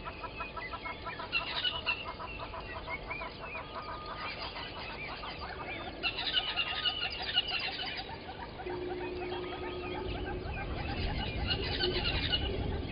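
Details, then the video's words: Dawn, 05:16 on 13 October 2020, Gowrie dam waterhole, Djuma Game Reserve, South Africa: yellow-billed and red-billed hornbills call in long rapid runs of clucking notes, rising and falling in bursts across several seconds, over steady low noise and a passing droning tone. "Yellow-billed and Red-billed Hornbills below the cam"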